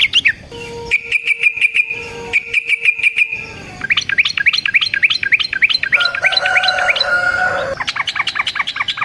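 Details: Yellow-vented bulbul lure song with long rolling runs: paired bursts of fast even notes over a steady low tone, then extended bubbly, rapidly rising and falling phrases with a lower whistled line mixed in.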